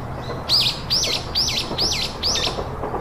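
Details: Three chicks calling from a bird's nest: five sharp, high, looping chirps in quick succession, about one every half second, clear over low background noise.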